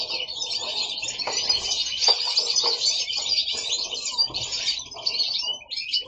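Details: Several pet goldfinches sing together at home in a steady, high tinkling twitter of rapid liquid notes and trills, with no pauses, in an indoor setting.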